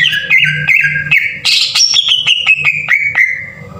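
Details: Green leafbird song used as a lure to rouse birds into singing: a run of clear whistled notes, steady and then slowly falling, broken by short sharp clicks and one louder harsh burst midway.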